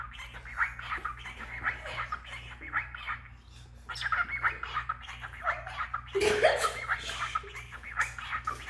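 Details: A talking male cockatiel about 10 months old chatters in a scratchy, speech-like mumble, with a sharper squawky burst near the end; his learned phrases include "It's bedtime for cockatiels."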